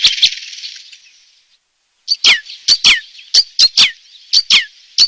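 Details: Red crossbill song: a short burst of rough twittering, a pause, then a string of sharp, high, downslurred chip notes at an uneven quick pace.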